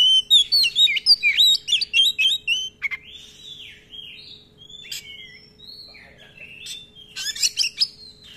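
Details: Oriental magpie-robin, a kept songbird, in lively song used as a lure for training other birds: long rolling runs of rapid varied whistles and chirps, a dense fast burst at the start, softer slurred notes mid-way, then another quick flourish.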